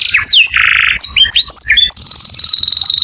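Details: Canary singing in the morning: quick rising whistled notes, a buzzy harsh phrase, more bright slurred whistles, then a sustained, very rapid, high trill to the end.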